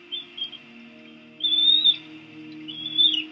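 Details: Tiny Bald eagle chicks (eaglets) in a Washington DC nest, 2017, give thin, high squeals while fed rodent: two quick peeps, then two longer wavering squeals about a second apart, over a steady low electrical hum.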